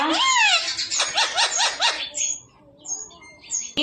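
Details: Parrot prompted to say "papa" answers with a wavering speech-like phrase and a quick run of repeated short rising syllables, about four in a row, then softer chirps and silence.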